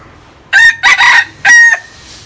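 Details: A native standing game rooster from Mae Hong Son, Thailand, nearly a year old, gives a short, strong crow in three hoarse, harmonic bursts over about a second, the middle one longest.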